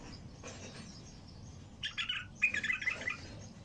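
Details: Bulbul in the wild, noted for its heavy voice, delivering a quick run of loud, warbled, liquid notes in two close phrases partway through, after a quiet start with faint low background hum.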